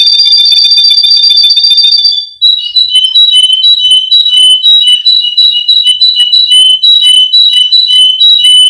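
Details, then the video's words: A male Russian canary from Miami, Florida sings: a long, steady, very high whistled tone, then a quick run of clipped high notes repeated about six times a second. "Canary Singing Birds sounds | Melodies Russian Canary Bird Sounds"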